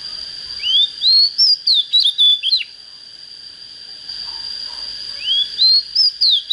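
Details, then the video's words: Oriental magpie-robin, a young bird just coming into breeding condition, singing two lively phrases that open with upslurred whistles and end in quick descending notes, over a constant shrill background tone. "Chích chòe than mộc CHỚM LỬA || có chất GIỌNG CHUẨN"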